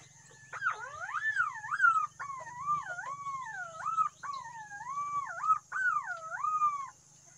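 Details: Green pigeon producing a run of five looping, fluty whistles that swoop down and up, closely spaced over about six seconds, over a low steady hum.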